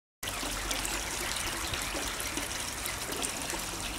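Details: Steady trickling, water-like hiss fills the recording from start to end in winter at Fremington, North Devon, with no clear animal calls standing out.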